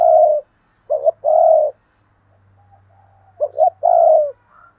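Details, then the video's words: Spotted dove kept as a decoy, giving thúc and gáy gọi calls in 2022: two loud phrases, each a quick doubled note then a drawn-out even coo, separated by soft murmuring and a low steady hum. "Chim Cu Mồi Thúc Và Gáy Gọi// tiếng cu mồi thúc bổi"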